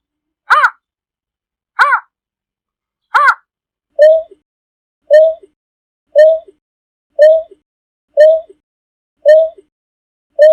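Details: Greater painted-snipe (Rostratula benghalensis) flock-gathering call: three harsh, nasal notes, then a steady series of deep, hollow hoots, each with a short falling tail, about one a second.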